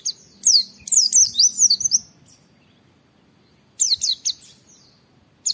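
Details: Oriental white-eye singing 'wit wit' phrases for training other white-eyes: a two-second burst of sharp, descending high whistles, a long silence, then a shorter burst of the same slurred notes.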